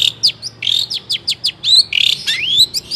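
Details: Long-tailed shrike, a captive songbird whose song is used to train young songbirds; dense high song of quick descending whistles, buzzy rattles and rising slurred notes delivered in a fast unbroken stream.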